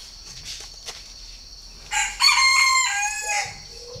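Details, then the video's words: Captive purebred Chinese francolin held on a bird farm near Ba Vì, Hanoi, Vietnam; after faint clicks, a loud harsh harmonic call bursts out, runs about a second and a half, then ends with a lower short note. "CHIM ĐA ĐA THUẦN CHỦNG GÁY"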